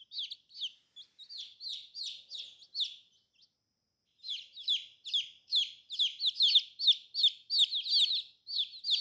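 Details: Baby chicks, described as colorful, give a chorus of high, quickly falling peeps. The calls thin out and pause for about a second, then return denser and louder.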